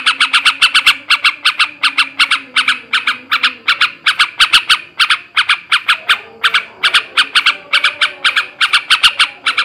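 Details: Male sooty-headed bulbul giving a ngebrem ngekek garuda style song, meant to raise breeding condition in other bulbuls: rapid harsh chattering notes about two to three per second, in bursts with short gaps, over a faint low hum.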